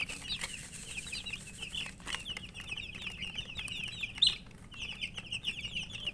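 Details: Many coloured baby chicks peep steadily in a thin, high, overlapping twitter, with one loud sharp chirp standing out midway and a brief rustle early on.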